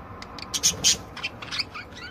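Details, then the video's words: Several budgerigars kept by a breeder, a short chatter of sharp clicks and rasping notes, with a few rising and falling whistled chirps toward the end. "Chant perruches"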